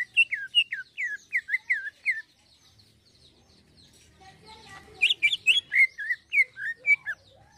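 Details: Greater green leafbird in lively 'isian halus' song: a quick string of rising-falling whistled slurs, a brief pause with soft chatter, then a denser, brighter run of twisting whistles and chips.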